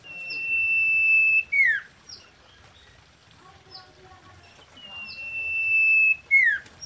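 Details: Common iora mating song with a long, steady high whistle held over a second that ends in a quick downward slur. The phrase is repeated twice, with short thin notes between.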